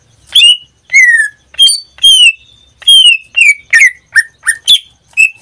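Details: Pet greater green leafbird, kept in a cage and singing nearly every day, delivers about a dozen clear, strong whistles, some long and falling, others short and sliding, in steady succession.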